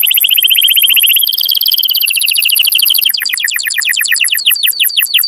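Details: Canary trilling to stimulate breeding, steady high rolled tours shifting pitch twice before breaking into quicker chopped notes, about three per second.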